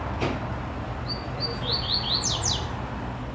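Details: Double-collared seedeater (Coleiro Trovão) singing strongly by a butcher's shop in Marataízes, Espírito Santo, Brazil: a quick phrase of high, clear whistles, a few level notes then faster down-slurred twitters, over a steady low hum.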